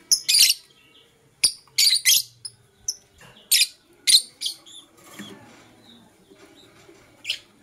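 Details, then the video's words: High, scratchy chirps from Blue Opaline and Parblue Euwing Opaline lovebirds in the morning: a run of sharp, buzzy bursts in the first half that thin out into a few faint squeaks and one final chirp. "Lovebird Chirping Sounds"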